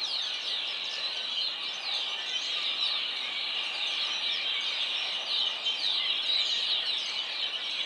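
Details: Flock of red-winged blackbirds singing together, a dense, continuous wash of overlapping high squeaks, trills and chatter with no break, set against a steady outdoor hiss.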